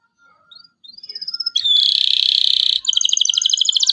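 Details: Local canary in full song, played to prompt young canaries to learn to sing: a few thin rising whistles, then a loud dense buzzy trill, then rapid bright notes repeated several times a second.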